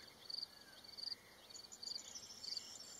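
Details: European bee-eaters (Merops apiaster) at a small nesting colony on a wall in Rusenski Lom, Bulgaria, in early May during courtship and nesting, giving short, high, rolling trilled calls, a few each second, over a thin insect hum.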